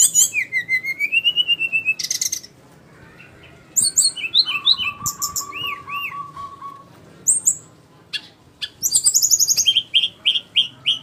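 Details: Flycatcher (sikatan rimba) with a long varied song: rapid repeated high notes, a wavering whistle, a steady lower sustained whistle, scattered slurred chirps, and a closing series of rhythmic high chips.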